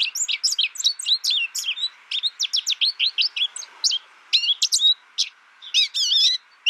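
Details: American goldfinch delivering a lively series of high, clipped chirps and downslurred tweets, with a few warbled, buzzy notes near the end. Phrases run in bursts with brief breaks. A faint, low steady hum lies underneath.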